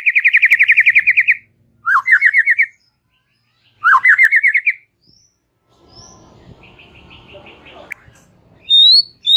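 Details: White-rumped shama singing in a relaxed style. Three bursts of rapid, rolling whistled trills, each opening with a short rising slur. A quiet rustling pause follows, then thin high whistles and a sharp upward note.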